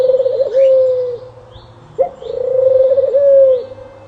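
A dove gives low, soft hooting coos, two drawn-out notes about two seconds apart, each with a slight wavering dip.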